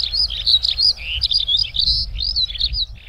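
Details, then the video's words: Eurasian skylark singing from the ground, a short burst of high, rapid warbled notes with a few lower slurred whistles mixed in, energetic and continuous, low hum behind. "Skylark Singing on the Ground"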